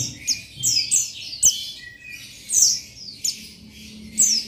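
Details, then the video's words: Male Oriental white-eye of the buxtoni race calling a rival: thin, high descending chirps and short trills, sounded in irregular bursts, with quieter twitters in between. "Buxtoni Memanggil Lawan Memancing Bunyi Jantan"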